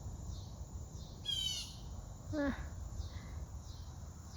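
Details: Blue jay, unseen high in trees near a laundry line, gives two harsh, buzzy high-pitched calls about a second apart, over a steady high insect drone, low rumble and a person talking.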